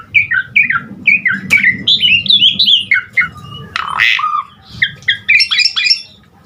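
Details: Energetic Asian pied starling singing, its song filled with mixed phrases to coax other starlings: quick repeated chirps about four per second, scratchy warbles and a harsh squawk midway, over a low background hum.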